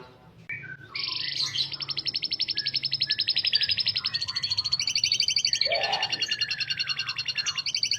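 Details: Canary starting with a few short notes, then launching into a long, sustained high trill of very fast pulses, about four per second in the loudness, shifting pitch near the end.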